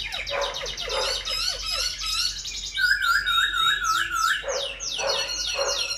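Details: Tame Silver-eared laughingthrush in a cage, singing all day while fluttering its wings and fanning its tail: chattering harmonic phrases and a long, steady held whistle, then more rapid chatter.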